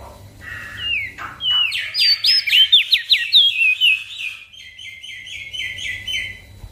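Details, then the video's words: A Javan grey-throated white-eye sings in gacor style as a master for small birds: a rising cascade of rapid, steeply slurred whistles, then an even train of softer repeated notes over low background noise. "Opior Jambul Gacor Untuk Masteran Burung Kecil"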